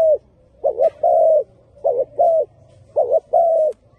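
A spotted dove coos in low, soft phrases: a wavering double note followed by a longer, steady coo, repeated three times about once a second.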